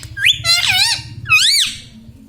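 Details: Pet talking Indian ringneck parakeet uttering bright, shrill, warbling squawks in two bursts, each note sweeping up and down, over a low background hum indoors.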